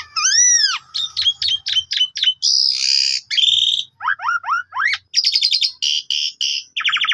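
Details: Asian pied starling singing in Indonesia, played to lure and tutor other birds: arched whistles, quick repeated chips, a harsh buzzy stretch, a run of rising whistled notes, then rapid rattling trills.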